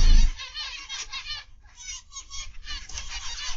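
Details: Repeated buzzy, nasal notes from a group of aviary zebra finches, recorded the afternoon of 29 November 2021, form a steady overlapping chatter after a brief low knock at the start.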